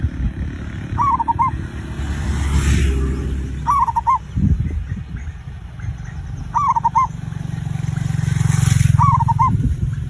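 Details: Zebra dove lure song for prompting other birds to sing: four clipped, stuttering cooing phrases, roughly every three seconds, against heavy low-pitched rumble and background noise.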